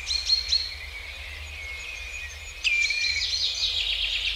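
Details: A common redshank flying over woodland gives high, piping flight calls, a couple of clear notes early, then a louder burst of repeated yelping notes after a quiet gap.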